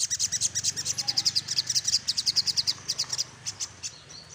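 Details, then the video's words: Little spiderhunter in lively song, seeking a rival: a dense rapid trill of high piercing notes, about three per second, slowing and thinning toward the end. "Suara SogokOntong Gacor Nyecrett Ngeroll Mencari Lawan"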